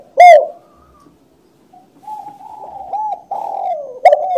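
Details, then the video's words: ['Spotted dove: a single loud coo, quiet, then soft low wavering coos that build up to a loud coo at the very end.'] "suara burung tekukur // suara burung balam"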